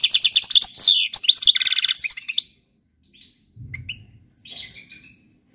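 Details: European goldfinch song meant for teaching young birds: a rapid run of high twittering, tinkling notes and buzzy trills for about two and a half seconds, then a pause with a low rumble and a few short chirps.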